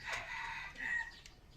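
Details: Short, loud red junglefowl crow in two drawn-out parts, rasping and strongly banded, ending after about a second. Faint bird chirps are heard behind it.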